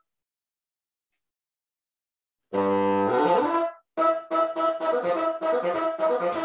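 Brass instrument music begins after a silent opening, with a sustained chord followed by short, rhythmic repeated notes.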